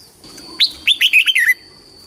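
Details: Competition-style red-whiskered bulbul song for calling the flock and voice training: one quick warbling phrase of five or six clear whistled notes, rising then falling, over a faint steady high tone.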